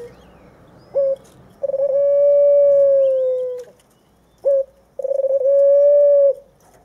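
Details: Two white dove chicks, 23 days old; by morning one had climbed a stick while the other practised pecking the ground. Two long, level, pure whistled notes, each preceded by a short clipped note, separated by a pause.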